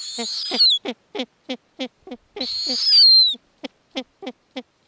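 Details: Snowy owl owlets at an Arctic nest while their mother feeds them lemmings: two long, harsh hissing screeches ending in a falling whistle, separated by a run of short, clipped, stuttering notes at an uneven pace.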